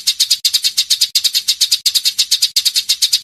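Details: Eurasian tree sparrow chirping in a closely packed, long-rolling edited recording meant as tutor material for songbirds such as the long-tailed shrike; sharp high chirps in rapid bursts of five or six, each burst separated by a short break.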